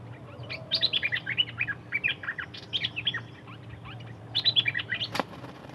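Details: นกดอกแตง, a Thai-named bird, giving a steady stream of high chirps and twitters, with a short pause before a final burst and a sharp click near the end.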